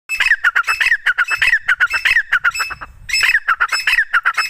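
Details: Female grey francolin gives loud, harsh, squawky notes in a rapid run of several per second; the notes break off briefly, then resume.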